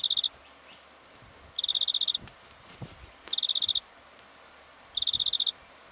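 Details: Black-fronted dotterel recorded in Victoria, Australia, in October 2011, giving brief rapid trills of sharp high ticks, four bursts with pauses of over a second between them; faint low rustling in between.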